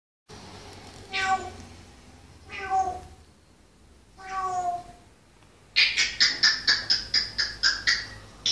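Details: Pietro, a 12-year-old African grey parrot, mimics a cat with three drawn-out, falling meows, then rattles off a quick run of about a dozen sharp, high clicks.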